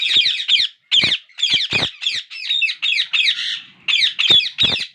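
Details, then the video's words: Hungry young parakeets beg as the father tries to feed each one equally. Scratchy, buzzy squawks come in quick pulses about every half second, with overlapping voices and a slightly longer gap near the middle. "My parrot babies asking food for more hungry!"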